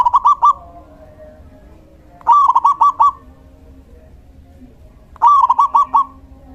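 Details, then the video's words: Decoy recording of a local male zebra dove: three bouts of bubbling, trilled cooing, each a slurred lead note breaking into staccato notes, spaced about three seconds apart, with light background hum. "Suara perkutut lokal jantan GACOR"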